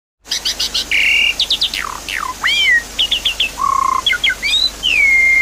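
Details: Javan pied starling song used as a training lure for a caged bird that has stopped singing: varied loud whistles, rapid stacked chirps, sweeping downslurs and long flat buzzy notes in quick succession.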